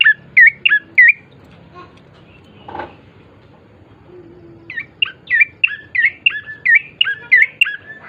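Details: Bar-winged prinia gacor song to get birds singing: a quick burst of sharp descending chirps, a lull broken by a brief rustle, then a long, fast run of bright, repeated chirping notes.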